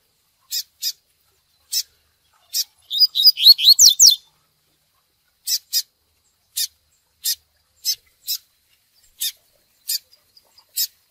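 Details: Double-collared seedeater with lively "tui tui" song for training. Steady sharp high chips are broken by one fast run of descending whistled notes, then the evenly paced chips resume.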